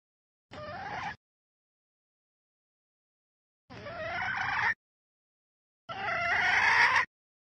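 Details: Red junglefowl hen, Vietnamese wild fowl, calling to arouse males, giving three separate harsh, rasping notes about two seconds apart, each growing louder, the last the longest.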